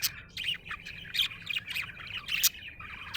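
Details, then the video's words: Happy pet budgerigar chirping in a busy, scratchy warble of short bright notes and quick squeaks, broken by a few sharp high clicks over a faint low hum. "Happy budgie chirping sound"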